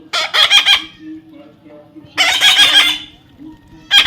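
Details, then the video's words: Baby parrot making two long grating, stuttering squawks built from quick pulses, separated by a short near-silent gap, with a third call just starting at the end. "natural funny parrot sound"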